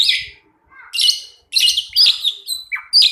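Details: Pair of pied mynas in energetic song. Loud bursts of scratchy, buzzy chatter alternate with short clear whistles, separated by brief pauses, and end with a rising note and a sharp squeal.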